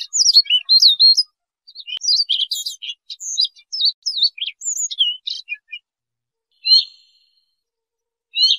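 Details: Siberian rubythroat song for trapping use: a dense rush of high warbling, sliding whistles for about six seconds, then two isolated short slurred notes after pauses.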